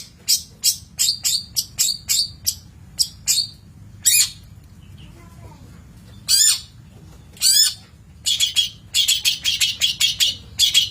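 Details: Long-tailed shrike, a master recording for training birds: bursts of harsh, high chattering notes in rapid series, short pauses between groups, with a quiet low hum beneath.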